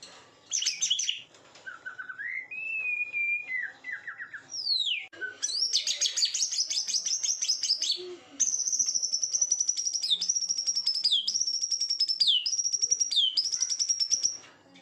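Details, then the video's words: White-rumped shama, called murai pastol, singing a song used as a lure to stir up a bird's emotion: loud varied whistled phrases, a level whistle and steep upward sweeps, then rapid chattering trills and a long run of high repeated whistles with dipping notes. "Pancingan emosi murai pastol"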